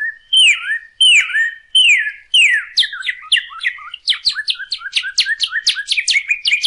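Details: Northern cardinal song, played for teaching captive birds to sing: three loud whistled slurs falling then dipping, about a second apart, then a faster run of short sharp downslurred notes.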